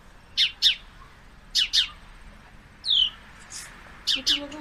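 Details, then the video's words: Male sparrow calling while watching two females fight: sharp paired chirps repeated at intervals of about a second, with one thin downslurred note between them, over a steady low background hum. "Two female sparrows are fighting. Surprisingly male is watching and making sounds ."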